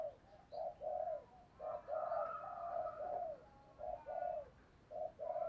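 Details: Spotted dove cooing as a lure for wild doves: repeated low soft coos and a longer rolling coo, heard through steady hiss and background noise.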